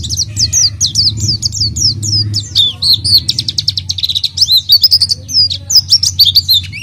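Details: Energetic oriental white-eye song used as a lure for an untrained bird: rapid high descending chirps that give way to a busy jumble of sliding, twittering notes, over a steady low hum.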